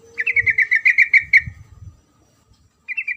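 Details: Rapid chattering trill of about ten bright, evenly spaced notes from a female sooty-headed bulbul calling the male, opening beside a thin steady whine, with a short burst resuming after a pause.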